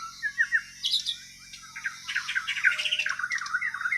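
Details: Borneo white-rumped shama, Kalimantan type, singing naturally without tutoring: short whistled notes at first, then a quickening series of scratchy trills and clicks.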